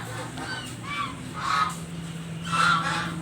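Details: Domestic geese at a home honk loudly and repeatedly for breakfast, several birds overlapping in harsh nasal calls, with a low steady hum behind.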